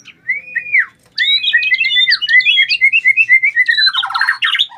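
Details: White-rumped shama, caged, provoked to fight, delivers a rich whistled phrase followed by a rapid stream of warbled, slurring notes that descend into a harsh buzzy ending.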